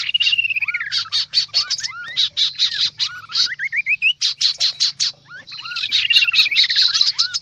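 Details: Kaso-kaso bird calling in a busy lure recording. Fast, harsh, high chatter pulses repeat steadily, broken by upward-sweeping whistles and a long descending string of clear notes. The chatter drops out briefly near the middle.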